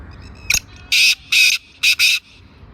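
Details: Black francolin in Sindh, Pakistan, giving a harsh, grating call: a sharp short click followed by three loud rasping, buzzy notes, the last two close together, all within about two seconds.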